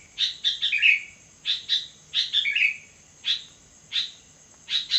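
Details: At midnight a sooty-headed bulbul alternates quick chirp clusters with a rolling descending whistle, then gives single spaced chirps, over a thin steady high whine.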